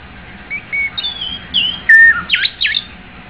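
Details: Short white-rumped shama song phrase with soft whistles, a pure level note, and two loud sweeping notes at the close.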